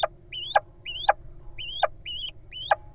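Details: Little owl nestlings in a wild nest box give high, thin, upward-sweeping squeaks, roughly two per second, each opening with a sharp click, over a constant low background hum.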